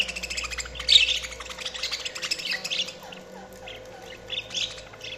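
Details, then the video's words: Budgies chirping busily, with a loud squawky note early on, then a run of rapid high chirps and warbles that gradually softens, and a faint hum underneath. "Budgies Sounds| Budgies Chirping sound"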